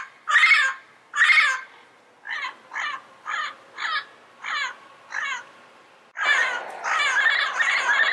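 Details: Yellow-headed parrots calling in the wild: two loud grating squawks, then a series of shorter, evenly spaced raspy notes, ending in a dense overlapping burst of harsh calls from several birds.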